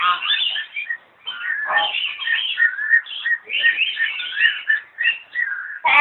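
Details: Myna at a zoological garden in Kolkata, India: a continuous jumble of whistled and chattering notes, varied and fast, with brief pauses and a loud noise at the very end.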